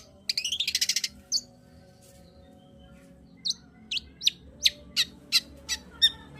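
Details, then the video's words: Long-tailed shrike singing, used as a lure to get a lazy bird singing: a fast rattling trill of about ten notes, a pause, then evenly spaced sharp chirps roughly every third of a second, over faint hum. "Pancingan Cendet Gacor Untuk Menaikkan Birahi cendet Malas Bunyi"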